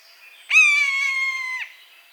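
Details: Buzzard in natural habitat uttering a single long, harsh mewing note of just over a second. It is steady in pitch and ends with a brief falling tail. Otherwise quiet.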